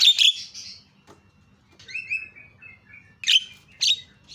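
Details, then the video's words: Javan myna calling to provoke other mynas: a harsh opening squawk, quiet gap, a thin level whistled phrase, then two sharp rasping notes. "PALING MANTUL SUARANYA MENGGODA JALAK CEPAT TERIAK"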